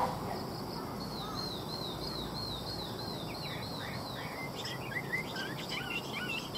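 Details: Chinese hwamei gives a high, evenly repeated wavy trill, then switches to scattered, varied whistled notes, heard against constant background noise.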